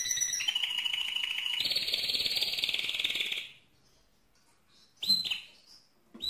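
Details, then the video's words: Mosaic canary delivering a loud buzzing trill that rises to a higher tour, stops for over a second, then resumes with a few sharp isolated chips. "le Chant le plus fort de canari mosaïque"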